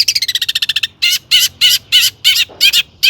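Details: Long-tailed shrike singing actively, its song stuffed with borrowed phrases and meant to provoke other shrikes into song; a rapid buzzy trill opens, followed by five harsh, rasping bursts about half a second apart.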